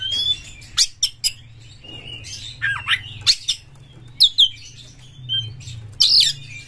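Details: Champion Oriental magpie-robin, kept as a songbird, singing full of emotion with its tail spread, used as a lure to set off other magpie-robins: separated sharp whistles and rising slurred phrases, spaced bursts with quiet gaps and a low hum beneath.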